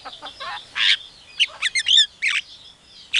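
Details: Javan myna imitating a chicken calling its young, an Asian pied starling and a hungry civet, giving loud rasping bursts, stuttering clicks and a warbled whistle.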